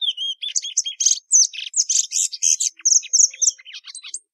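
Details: A Plumbeous seedeater (Sporophila plumbea) sings a fast mixed phrase of clear whistles and buzzy bursts, closing in quicker, thinner notes.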